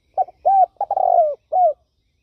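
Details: Turtle dove giving one full cooing phrase. A short note and a rounded coo lead into a longer, slightly rolling coo that slides downward, followed by a single soft falling coo. There is nothing else in the background.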